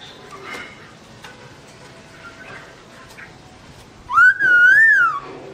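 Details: Black-throated laughingthrush with its owner away: after quiet, scattered chirps, one loud, pure whistle rises, undulates gently for about a second and then drops away.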